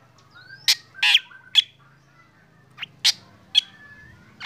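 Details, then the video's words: Morning black drongo song given while the bird is sunned, stirring other birds to sing: loud, harsh broadband notes at irregular intervals, with thin rising whistles and a low hum in the background. "KICAUAN SRIGUNTING HITAM PAGI HARI SAAT DI JEMUR BIKIN BURUNG LAIN IKUT BUNYI"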